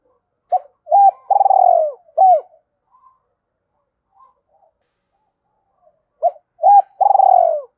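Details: A spotted dove coos to get a decoy calling quickly, giving two phrases of brief hooked notes and a long vibrating falling coo separated by about four seconds of near silence. The recording is close.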